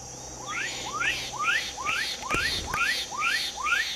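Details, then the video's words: Seven ringing whistles from a black-capped donacobius, each rising sharply, delivered at a steady pace of about two per second against a continuous high-pitched insect chorus and a few faint clicks. "Japacanim - Canto"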